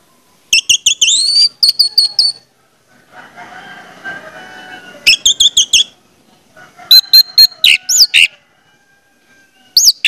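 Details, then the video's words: Orange-headed thrush singing as a lure for other orange-headed thrushes: bursts of rapid, high whistles and slurred notes, broken by a stretch of low, murmuring background noise. "pancingan anis merah bikin anis merah lain cepat ngeplong"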